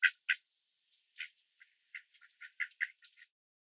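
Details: Mallards in Southern Ontario, Canada, on grass strewn with bird seed, males quacking loudly as they chase other ducks; two loud harsh quacks open a quick, uneven stutter of softer nasal quacks and chatter.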